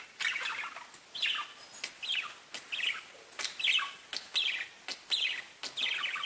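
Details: Bird chirping from parakeets: short separate chirps and chirrups repeated roughly every half to one second, each a quick twittering burst, with quieter gaps between.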